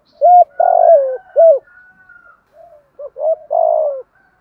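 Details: Spotted dove singing a practised 'thúc gù' lure song: a short hoarse note, then a long, rich, slightly falling coo, the phrase sounding twice in quick succession against a quiet background.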